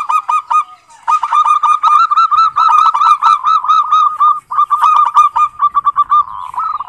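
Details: Zebra dove (Geopelia striata) giving the "ngerot"/kerot type of song: rapid, staccato, slightly nasal cooing notes in quick runs of about five a second, with overlapping phrases suggesting more than one bird.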